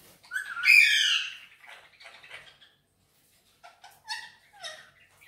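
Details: Indian ringneck parakeet, green pet bird, gives a loud harsh squawk-like utterance followed by softer chattering syllables, a silent gap, then short whistled notes sliding downward.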